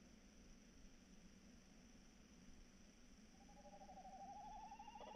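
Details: Tawny owl at night on 3 March 2018, one long trembling hoot starting near the end of the recording, quavering rapidly and climbing gently in pitch, set against steady low-frequency hum and hiss.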